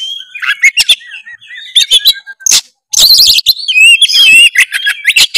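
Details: Oriental magpie-robin in full song, meant to stir a lazy bird into singing: varied high whistles, buzzy chatter and dense rapid trills, with a brief silent pause partway through.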